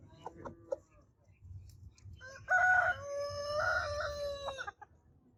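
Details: Rooster crowing: a loud, harmonic cock-a-doodle-doo of about two seconds, held then stepping down, after a few short clucking notes, with low rumbling background.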